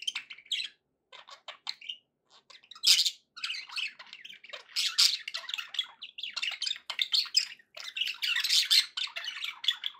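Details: Pet budgerigars chattering happily: a continuous stream of scratchy squawks, clicks and warbled chirps in quick irregular bursts, with louder harsh notes every few seconds.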